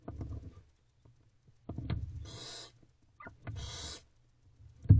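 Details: Barn owl quadruplet owlets in a nest box at 2:55 am on 4/11/23, hungry while the female feeds them: long hissing, rasping screeches of about half a second, twice, amid thumps and shuffling in the box.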